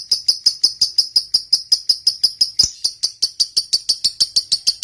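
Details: Lovebird, fighter type, heard as a lure for silent lovebirds: a run of sharp, high chirps, about three per second, with a brief louder click midway.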